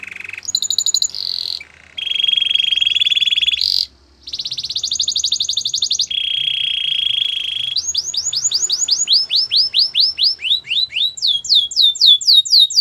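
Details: Canary training song with varied phrases: fast rolling trills at several pitches, some broken by short pauses, followed by a long series of repeated downward-sweeping whistled notes that grow louder.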